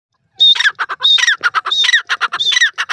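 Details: Francolin calling loudly: harsh, grating phrases repeated about every 0.7 seconds, each opening with a high screechy note and followed by a run of short, clipped notes, with no other sounds.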